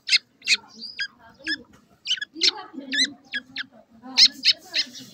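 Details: Grey francolin chicks feeding, a baby gora teetar: short, high, sharp chirps and thin sweeping whistles, repeated irregularly, over soft low murmuring sounds.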